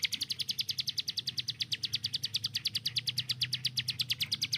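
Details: Hill prinia kept for training other songbirds, hammering out a steady stream of loud, high chips at a quick, even pace.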